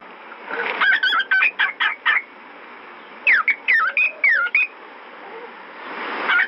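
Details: Albino fawn pied cockatiel gives two quick bursts of bright whistled chirps, each note sliding up and down.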